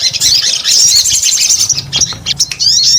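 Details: Short spell of a sogon's busy song: a continuous high, warbling chatter of quick slurred notes, then choppy chirps and a rising whistled phrase at the end.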